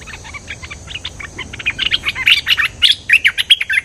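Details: Cream-vented bulbul singing vigorously as a lure sound: a rapid, chattering run of short chirps, about four per second. It starts soft and grows louder, with bright, slightly rising notes toward the end.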